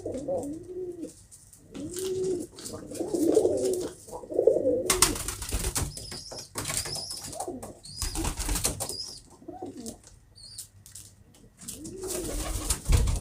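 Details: Pigeons cooing in low, throaty, rounded bursts at the start and again near the end, broken in the middle by loud rustling, flapping-like noise bursts and a few thin, high squeaks.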